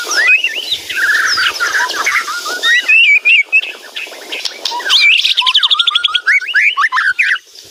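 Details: White-rumped shama (murai batu) singing a loud, lively song packed with varied material: rapid rising and falling whistles, short slurred notes and chattering trills run together without pause, growing denser and louder in the second half.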